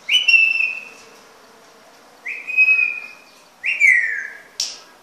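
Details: A grey parrot gives three loud, clear whistles, each about a second long and sliding slightly downward, then ends with a quick rising chirp.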